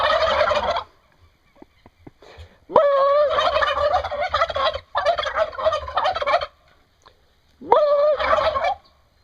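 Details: Turkeys making repeated gobbling calls, four rattling bursts across the recording, each around a second or more long, some opening with a clear rising tone, separated by short quiet gaps with faint clicks.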